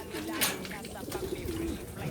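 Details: Racing pigeon kept in a loft, giving a soft low coo that holds steady from about 1.2 to 1.7 seconds, preceded by a sharp click and set against light background noise.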